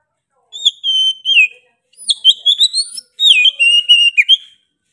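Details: Oriental magpie-robin singing strongly: three separate phrases of sharp whistles, including falling slurs and a fast series of rising, chattering notes, with short silences between phrases.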